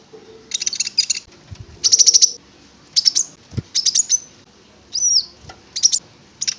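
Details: Konin (prinia) song played as a lure to make the bird sing: short bursts of high, rapid, clicking-buzzy notes repeated every half second or so, with a few thin whistled slurs.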